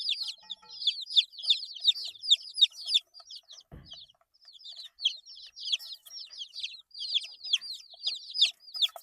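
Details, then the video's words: Eight-day-old baby chickens peeping rapidly, high thin downslurred cheeps from several birds, a short low bump near the middle and a brief lull. "Chicks Chirping Sounds - Baby Chicken Sounds"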